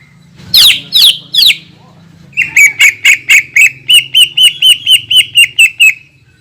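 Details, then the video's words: Greater green leafbird giving a long lure song meant to provoke rival leafbirds: three loud sweeping downslurred notes, a short pause, then a rapid, even run of about fifteen sharp repeated notes over a low steady hum. "PANCINGAN CUCAK IJO GACOR DENGAN TEMBAKAN PANJANG YANG MEMATIKAN"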